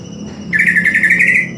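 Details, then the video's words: A greater green leafbird gives one rapid, rippling, mid-pitched warbled phrase of about one second over a steady low indoor hum. "KICAUAN CUCAK IJO"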